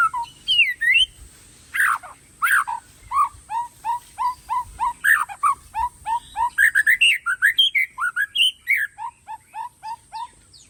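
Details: ['Tangse-line Aceh shama in full song, a dense, unbroken stream of short, sharp whistled notes and rising and falling slurs, several per second, with a constant high whine behind it.']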